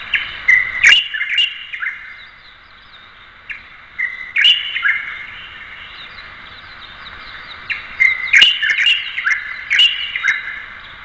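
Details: Light-vented Bulbul (Pycnonotus sinensis) giving bright, chattering bursts of slurred, warbled notes in three loose groups a few seconds apart, with a few sharp clicks between.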